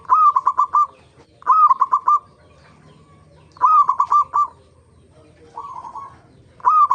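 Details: Local zebra dove lure recording meant to make other zebra doves sing: bursts of stuttering, trilled coos near one pitch, each phrase of about five quick notes, repeated roughly every one and a half seconds with quiet gaps.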